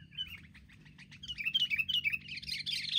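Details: Wild sooty-headed bulbuls attacking as a group: rapid, uneven chattering notes that grow louder and denser toward the end, a lively bubbling jumble.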